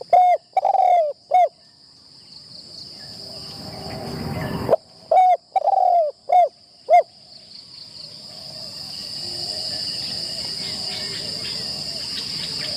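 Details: Spotted dove used as a decoy in its first training session in a trap enclosure: bursts of short mellow hooting coos near the start and again midway, separated by a rushing noise and followed by steady background hiss.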